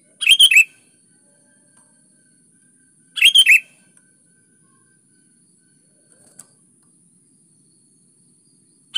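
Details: Sooty-headed bulbul (kutilang) in energetic 'gacor' song, used as a lure recording to prompt lazy bulbuls to answer: short bright chattering phrases, two bursts about three seconds apart, over a quiet background.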